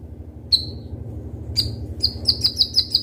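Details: Kolibri ninja sunbird, a kept bird: two isolated thin, high whistles, then a quick run of six sharp, evenly spaced notes, with a steady low hum behind.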